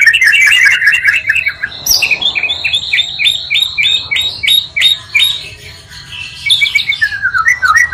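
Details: Oriental magpie-robin song combined from two birds to provoke other magpie-robins: a fast chatter, then a series of about a dozen evenly spaced downslurred whistles, then more varied phrases.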